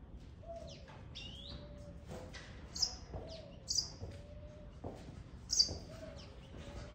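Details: Taveta golden weaver at Berlin Zoo giving high, scratchy chirps and sizzling buzzes in irregular bursts, with a soft, level low whistle repeating in the background.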